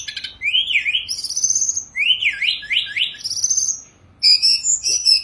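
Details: Sunda robin singing while still on its perch in a cage: rising and falling slurred whistles in zigzag sequences, a brief silence, then high chattering buzzy notes.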